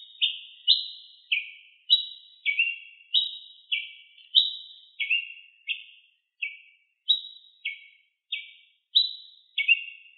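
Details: In nature, a ruby-crowned tanager delivers steady, rapid chirps. Each note is sharp and falling, some come as quick doubles, and high and low tones alternate roughly every half second. The setting is otherwise silent.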